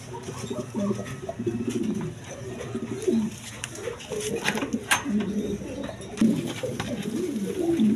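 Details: Single male Lahori pigeon, a domestic breed, calling constantly among other pigeons: low, rolling coos in bursts, irregular and noisy, with clatter and knocks around.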